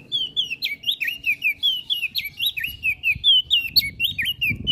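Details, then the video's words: Olive-backed tailorbird in full song, kept as a master recording for tutoring songbirds: steady run of bright whistled notes, each bending sharply downward, repeated several times a second with faint low background rumble. "Burung Prenjak Daun Gacor Isian Pas Buat Masteran"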